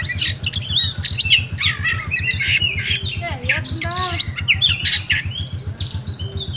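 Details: Rewo-rewo song of a caged oriental magpie-robin in Pemalang, Central Java, Indonesia: dense bursts of shrill chirps, harsh rasping notes and a falling rolled phrase, layered over a constant low rhythmic throb.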